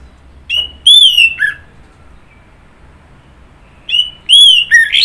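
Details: Orange-headed thrush song in two bursts separated by a pause of about two and a half seconds, each a run of bright whistles dropping to a lower slurred note at the end.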